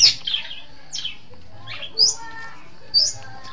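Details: Long-tailed shrike tutor recording for training birds: sparse loud, rasping downslurred notes, a few isolated squawks spaced about a second apart, with faint tonal whistles behind.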